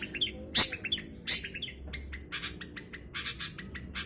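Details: Caged long-tailed shrike in Jombang, East Java, Indonesia, just through its moult with new feathers; grating squawks alternate with quick high twittering notes in uneven bursts.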